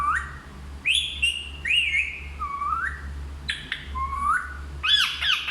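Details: Parrot said to talk in Hindi: a series of clear whistled, rising and falling tones with bent, sliding shapes, ending in a brighter harmonic call, over a steady low hum.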